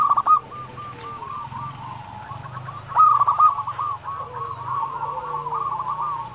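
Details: Local zebra dove singing actively: rapid stuttering trills of soft cooing notes. Two louder, harsher bursts at the start and near the three-second mark. Fainter lower coos from other doves run underneath.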